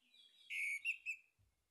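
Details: Short phrase from a male orange-headed thrush, used as a lure for singing: a soft lead-in, then three loud, clear whistled notes in quick succession before silence.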